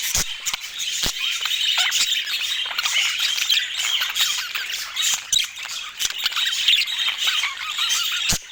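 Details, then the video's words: Budgerigar flock chatter, a steady rush of high, scratchy warbling and chirps from many overlapping voices, punctuated by sharp clicks at irregular intervals. "Dieser Sound macht Wellensittich Vogel verrückt"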